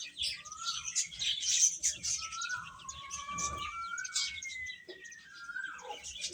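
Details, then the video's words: Chicken chicks chirping while eating: a dense flock chorus of quick high peeps, with several long smooth whistled notes that slowly rise and fall through the middle. "Beautiful Chicks Chirping Sounds | Baby Hen Eating"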